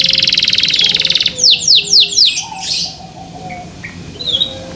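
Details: A small, white, young local canary, tail not yet grown and song not yet complete, sings a fast, buzzy high trill, then four quick whistled notes sweeping downward, then softer chirps, over a faint low hum.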